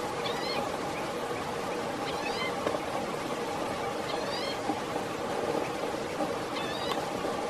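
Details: Green-tailed towhee in Blackwood Canyon, Placer County, California, August 29, 2017, preening between calls: four thin, slurred mew notes at irregular intervals, partly masked by constant broadband rushing noise.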